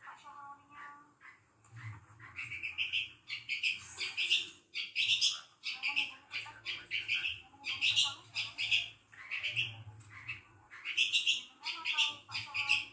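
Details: Pet long-tailed shrike (cendet) singing a varied chattering song of harsh notes and short whistled phrases, bursts repeated roughly every second, with a faint low hum beneath.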